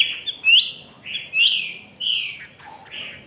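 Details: In Vietnam, a caged Chinese hwamei of the 'ngũ trường' singing type, tail fully spread, delivers separate loud upslurred whistles roughly every half second, each followed by a short buzzy note.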